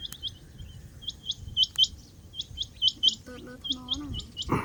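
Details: Rain quail giving high, clipped rising notes in pairs and short runs, against a murmuring low background; a lower, wavering voice-like sound and a thump come near the end.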